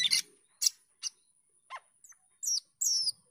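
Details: Cucak keling or jalak keling starling giving scattered sharp chirps and clicks, then squeaky descending whistles, in the energetic gacor teler manner.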